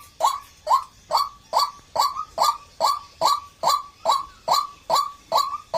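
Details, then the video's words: Even, rhythmic series of coarse, nasal croaking calls by a white-breasted waterhen, about two per second, each note short and clipped, no other sounds standing out. "suara burung ruak ruak"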